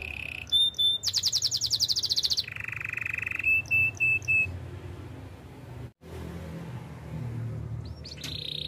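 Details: Canary song for training: a held high whistle gives way to a fast metallic rattling trill, then a lower buzzy roll and clipped repeated notes, followed by several seconds of near-silent hiss and a brief closing whistle.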